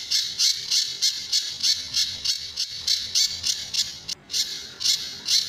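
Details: Sunda bush warbler singing in the tembakan and besetan styles, for training other birds: fast, harsh, high bursts about three per second, with a brief break after four seconds.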